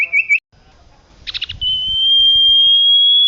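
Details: Common iora singing vigorously, used to train other cage birds: a brief wavering whistle, a quick buzzy cluster of notes, then a long pure whistle drawn out and rising slightly in pitch.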